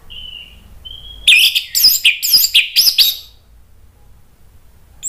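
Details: Orange-headed thrush, a caged bird, singing an agitated provoking song: two soft whistles, then about two seconds of fast, sharp chirping notes, then quiet.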